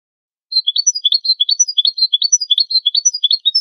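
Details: European goldfinch giving campero-style competition song: bright, twittering notes hop between two pitch levels in brisk, repeating phrases for about three seconds, with no other sounds.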